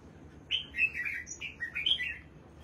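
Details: Caged red-whiskered bulbul, a competition bird, singing in the morning after its bath: a quick run of bright, slurred whistled phrases, each short and dipping, several in a row, with faint low background hum.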